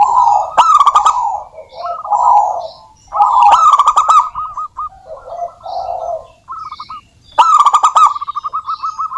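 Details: Zebra doves of a local wild strain in full song, played to encourage other doves to sing: rapid rolling coos in long runs, several birds overlapping, loud rattling bursts around the two-second mark and again near the end.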